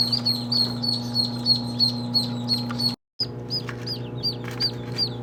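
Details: Duckling peeps, high and slurred, coming in quick irregular runs over a steady low hum, with a brief cut of silence near the middle before the peeping resumes.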